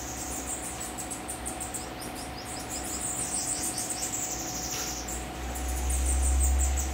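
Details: Group of kept bananaquits (sibite) at a house: overlapping high, thin, buzzy trills repeated through the clip, with a low rumbling thump toward the end.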